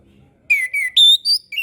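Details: Orange-headed thrush used to teach young birds to sing. A brief run of four or five clear whistled notes, each held briefly, stepping up and down in pitch.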